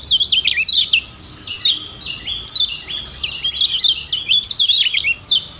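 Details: A Lombok lemon-bellied white-eye (kecial kuning), used as a master song for training other birds, sings a rapid, high jumble of sweet, wavering whistled notes in short bursts about a second apart, with no other sounds.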